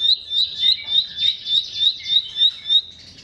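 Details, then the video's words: Bar-winged prinia song phrase, played to encourage silent birds: a rapid train of high, bright chirps about three per second, with light chattering behind, fading out at the end. "BERBAGAI ISIAN KICAUAN CIBLEK"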